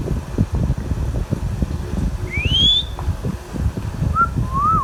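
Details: Indian ringneck kept as a pet: one bright rising whistle mid-clip, then a short two-note whistle sliding down and up, against a steady rumbling background.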